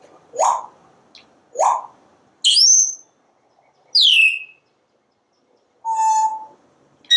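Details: Pet parrot on a screened back porch, chattering while it watches squirrels and birds: short chirps, then sharp whistled notes that sweep downward, with gaps of about a second between them.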